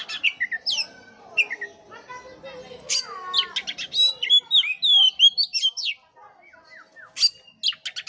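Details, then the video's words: Lively Oriental magpie-robin song meant to make an unmotivated bird sing: long medley of chirps, rasping bursts and looping pure whistles, roughly three notes a second, with a brief quiet gap. "pancingan kacer jitu dan ampuh buat kacer loyo kurang ber gairah.!!!"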